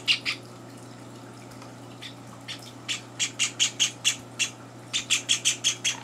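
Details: Java sparrow nestlings at morning feeding on their third day in a home, older birds intruding; two harsh chirps, a quiet pause, then a building run of loud high chirps about three per second.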